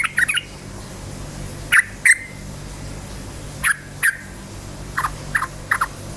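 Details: Yellow-vented bulbul singing lively to provoke other bulbuls: short liquid notes in pairs and small clusters, spaced about two seconds apart, over a steady background hum.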